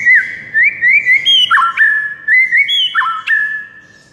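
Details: Fast, varied whistled song of a White-rumped shama: rolling rising notes repeated about twice a second, broken by sharp downslurred whistles, all clear and loud.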